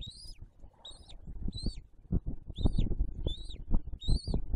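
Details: Loud, close bald eagle calls at the nest holding a fresh eaglet, December 2022: six sharp, high whistled notes that climb and then fall, coming in quick pairs over soft thumps and low rumble.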